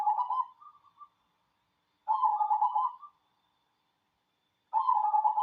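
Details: Zebra dove, local cemani type, delivering rolling, burbling coo phrases, three in quick succession about two to three seconds apart, some ending in a short higher trailing trill.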